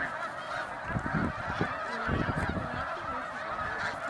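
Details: Snow geese in a huge flock resting on the water of a 300-acre lake in Middle Creek Wildlife Management Area, Pennsylvania, at sunset; an unbroken wall of overlapping honking, with low thumps and rumbles mixed in.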